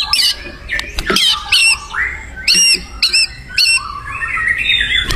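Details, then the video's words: Wild white-rumped shama singing energetically: rising whistled slurs mixed with sharp, high, stuttering notes in separate bursts, with faint background hiss. "SUARA UNIT MURAI BATU GACOR DI ALAM LIAR"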